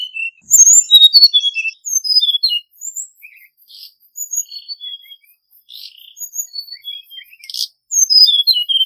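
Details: Hill blue flycatcher song used as a lure for trapping: high, thin whistled notes sliding downward in short phrases, separated by soft pauses.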